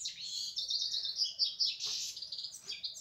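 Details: European goldfinch in continuous song: rapid, liquid high twittering with buzzy trills run together, bright and unbroken for three seconds.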